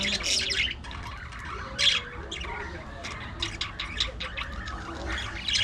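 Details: A flock of budgerigars kept in an aviary colony gives rapid, scratchy squawks and chirps in short clustered bursts, many birds calling over one another in a steady, busy chatter.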